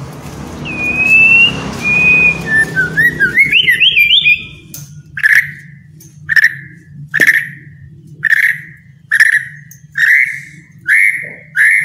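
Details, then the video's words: Captive white-rumped shama song for coaxing lazy birds into full singing: a few clear whistles, then a rising whistled run, then a short emphatic note repeated about once a second over a low hum. "MURAI MALES BUNYI..JADI GACOR PLONG"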